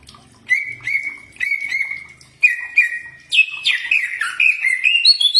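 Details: Common iora (cak ijo) training song: several level sustained whistles with sharp onsets, then a burst of varied descending and rising slurred notes, faint low murmur underneath.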